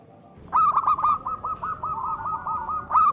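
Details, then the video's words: Local zebra dove with a loud voice, used as a lure to make reluctant doves sing: an opening coo, then a rolling series of short hooting notes, ending in a stronger coo. "Perkutut lokal gacor Suara Besar Pancingan Untuk Perkutut Susah Bunyi"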